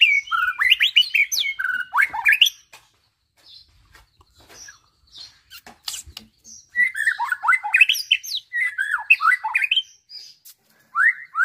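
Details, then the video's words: Nine-month-old caged white-rumped shama trained on other birds' songs delivers bursts of varied chirps and squeaky twittering, broken by quiet gaps and a few sharp clicks, then resumes rapid mixed notes. "MB BRUCE LEE"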